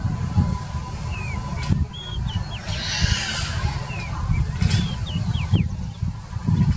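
A swallow gives short, thin chirps in two quick bursts of three or four notes, some sliding down and some rising, over a steady low rumble of wind or traffic.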